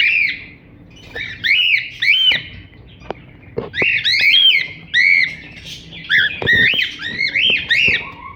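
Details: Dense cockatiel chirping, with raspy rising-and-falling chirps tumbling over one another in fast clusters, nearly continuous in the second half, plus a few faint clicks.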